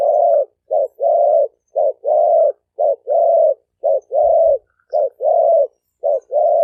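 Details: Male spotted dove giving its 2020 mate-attracting call. Short and long hollow coos alternate in steady pairs, about one pair per second, for nearly seven seconds. The recording is clean with no other sounds.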